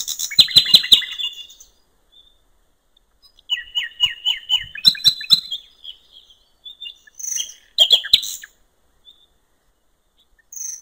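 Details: Common nightingale singing by a riverbank in open nature: bursts of rapid clicking notes and sharp whistled phrases high in pitch, separated by short silences, with varied rattling trills.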